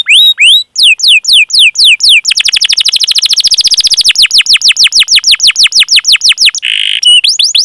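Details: Canary training song, a long chirping roll used to coax other canaries into singing: rapid downslurred whistled notes repeated about three per second, speeding into a dense trill, then a brief buzzy note.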